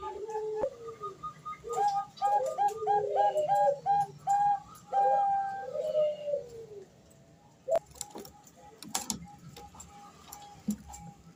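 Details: Zebra dove hen, Bangkok type, calling to a male as a training lure: a busy burst of quick cooing notes and rolling coos for several seconds, then sharp clicks and knocks with only scattered calls.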